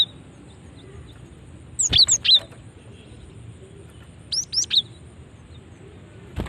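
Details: Female cinereous tit calling, used to lure other cinereous tits. Two short clusters of sharp, high, slightly descending chirps about two and a half seconds apart, with a faint click near the end.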